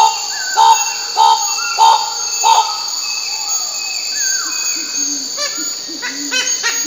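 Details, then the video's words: Bird-of-paradise calling: four short, clipped notes repeated about every 0.6 seconds, then a drawn-out descending slurred whistle, with softer low clipped notes near the end over a steady high insect-like hum. "Suara Burung Cendrawasih"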